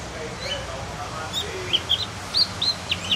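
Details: Cucak gentong, or Javan Grey-throated White-eye, practising song: a quick string of short, high chirped whistles in the last half, roughly five notes per second, over quiet hiss.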